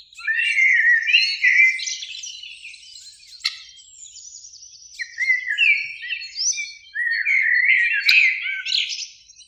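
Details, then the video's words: Blackbird song from a spring beech tree at a lakeside in evening light, two birds singing: several fluted warbling phrases separated by quieter gaps with a sharp click, the last phrase rising into twittery high notes. "Relaxing Birdsong"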